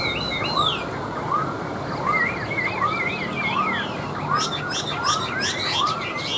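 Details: A tame caged Chinese hwamei singing on a table: wavering trilled whistles and slurred notes, then bursts of sharp high chips, over a steady arched note repeated about every 0.7 seconds.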